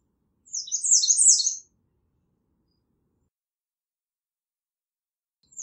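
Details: Singing American redstart: a single quick cluster of high, thin, downslurred notes lasting about a second, then a long pause before another phrase begins.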